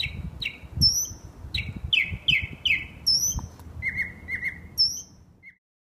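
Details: Northern mockingbird singing through the night in West Brighton, showing a wide repertoire. Varied phrases repeated in short sets: buzzy downslurred notes, thin high whistles and clear falling slurs, with a quiet pause before the end.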